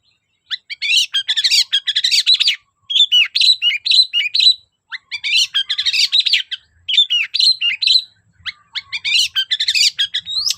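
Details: Vigorous long-tailed shrike song meant to provoke shrikes that will not sing: long bursts of fast, mixed chattering and whistled twitters separated by short silences.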